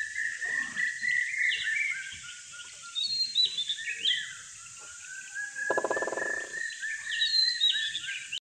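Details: Morning birds at Kolbandre village, Dapoli, Ratnagiri, between 6.00 and 6.30am: scattered chirps and short whistled phrases over a constant high drone, with a brief rapid pulsed rattle near the middle.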